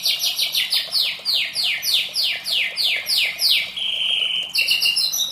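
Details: White-rumped shama singing in the morning, a fast series of loud descending buzzy sweeps about three per second, ending in a rougher warbled phrase, with steady hiss behind.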